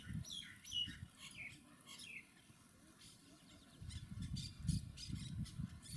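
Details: Monk parakeets, also known as Quaker parrots, on a Panasonic HC-WXF990: a quick series of shrill, squeaky chirps in the first two seconds, then rougher scratchy notes with low rumbling noise.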